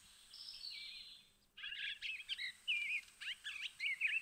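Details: Eastern bluebird, an early spring arrival in the backyard, sings a soft run of warbled, burry phrases mixing short rising and falling notes, with a faint high tone running underneath.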